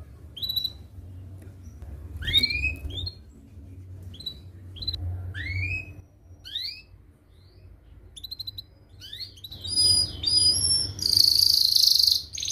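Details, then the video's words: Canary singing, a lure recording for young birds learning their song. Sparse rising chirps come one at a time, ending in a dense, hissy high trill. A low background hum runs underneath. "Kenari Gacor Tajam Cuit cuit NgeroL RAPAT paling dicari untuk Pancingan kenari paud belajar bunyi"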